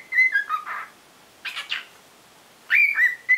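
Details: A cockatiel spreading its wings while practising its song, its voice gradually lengthening, whistles a short tune of clear, slightly wavering mid-high notes, broken by a couple of raspy chirps and brief pauses.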